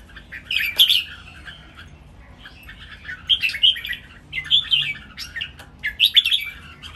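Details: Three caged red-whiskered bulbuls in a singing contest deliver a lively training song with counted phrases: short, bright, warbled phrases repeated about every second, with a longer quiet spell early on.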